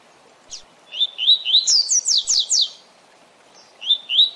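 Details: Double-collared seedeater song in the 'tui tui zel zel' style, played for training captive birds: a lone high note, then quick rising slurred whistles, a run of sharp downward buzzy strokes, a pause, and the rising notes again over faint low hiss.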